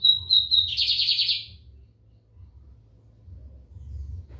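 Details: Lined seedeater song recorded in São Luís, Maranhão, Brazil: a few high thin whistled notes, then a fast buzzy rattling trill lasting under a second, with a low hum underneath.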